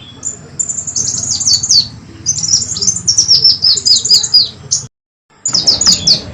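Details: Kolibri wulung pikat recording, a brown-throated sunbird lure call used to attract birds: rows of rapid, very high descending chips in energetic bursts, broken by a short silent gap before more chips.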